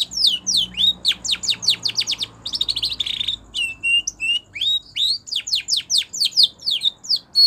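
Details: Spanish Timbrado canary singing a training song, fast repeated downward-sweeping whistles broken by a short rattling trill and a few clipped metallic notes before the sweeps resume.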